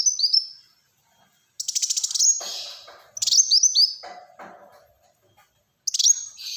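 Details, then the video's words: Kolibri Wulung, Black-throated sunbird, in energetic rapid-fire song: very high, thin chirps and fast rattling trills in separate bursts with short pauses, broken by scratchy lower rustling noises. "Burung Kolibri Wulung Gacor Tembakan Rapat"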